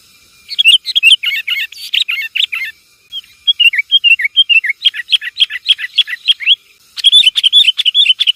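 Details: Lively sooty-headed bulbul lure sound, Javanese type: continuous streams of bubbly, rolling chirps with wavering pitch, broken by a short pause, then more rapid chattering phrases.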